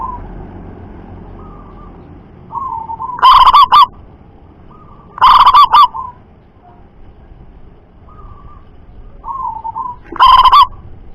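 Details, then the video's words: Loud local zebra dove cooing: three bursts of clipped, very loud rolling coos, each starting with short notes and breaking into a quick stuttering trill, separated by softer mid-pitched coos in between. "Perkutut Lokal Suara Lantang Mampu Jarak Jauh"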